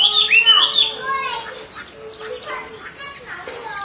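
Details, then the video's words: A female Chinese hwamei (họa mi mái) calls continuously to excite a restless male, giving a loud burst of bright, slurred whistles, then softer scattered chattering notes over a faint steady hum. "Họa mi mái xùy liên tục, họa mi trống không yên"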